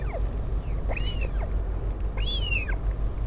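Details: On 16 July 2019 a northern royal albatross parent visits its chick at the Taiaroa Head colony near Dunedin, New Zealand, filmed by a live camera. Two clear, bowed, whining whistles, with faint fainter calls before, over constant low wind noise.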